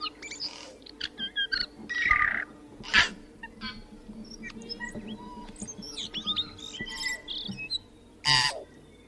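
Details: A tui sings in a jumble of whistled notes, creaks, clicks and short harsh bursts, with loud rasping noises near the start and end of the phrase and a low constant hum behind.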